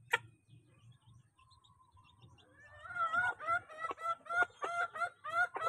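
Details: Domestic chicks crowding at feeding time at home: near silence at first, then loud, arched, harmonic calls repeated about three times a second.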